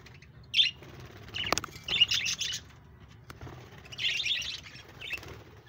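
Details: Short bursts of bright, scratchy twitter from pet budgerigars, 1 June 2024, separated by quiet gaps, with a few sharp clicks between the phrases.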